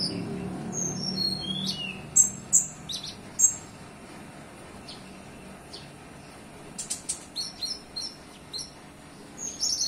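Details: Olive-backed sunbird singing a song filled with cililin phrases: clusters of very high, thin chirps and short downslurred whistles in bursts around two to three seconds and again near seven seconds, over a low steady background hum.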